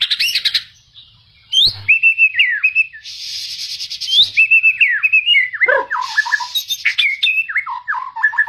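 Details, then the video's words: White-rumped shama singing aggressively to goad other shamas into song: rich whistled notes sliding up and down, mixed with harsh buzzy trills and quick descending twitters, continuous and loud. "Murai Batu Ngamuk Rekomended untuk Pancing MB lain ikut Gacor + Fighter"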